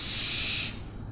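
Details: Owl producing one loud, steam-like hissing screech that lasts about three quarters of a second and then fades to quiet.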